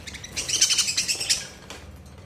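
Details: Budgerigars in summer with a dense, fast burst of high buzzy chirps and warbling chatter for about a second and a half, then fading to quiet room hum.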